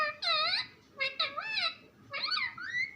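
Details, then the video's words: A pet parrot talks in three drawn-out wavering, voice-like phrases, each rich in harmonics and rising and falling in pitch, about a second apart. "Funny parrot talking video | mitthu videos | mittu ki awaaz"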